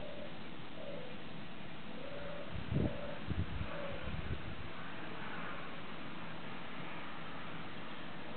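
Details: European Turtle Dove, a very early arrival first detected 14 March, recorded 15 March 2015 at Fontevraud-l'Abbaye, Maine-et-Loire, France, gives soft, low purring phrases about once a second, half buried under a steady low rumble, with a few thumps midway.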